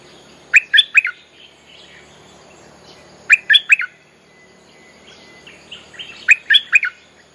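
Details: Bulbul song for calling wild birds: short three-note chirpy phrases repeated about every three seconds, with faint softer notes between them.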